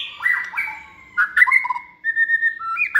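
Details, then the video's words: Hand-reared white-rumped shama in its second season, kept caged and bred for competition singing, gives clear fluty whistles, short warbled slurs and a sustained level note in bursts with brief pauses. "chòe lửa dáng sẻ, hót cực bền nết chuẩn đấu giàn"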